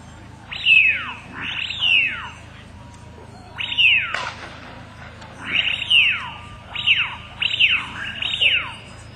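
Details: Around daybreak on a tidal marsh, as the rising tide swirls and gurgles into the gutters, distant Eurasian wigeon give about seven loud, clear whistles, each rising then falling sharply, some in quick pairs, over a faint low rumble of water and wind.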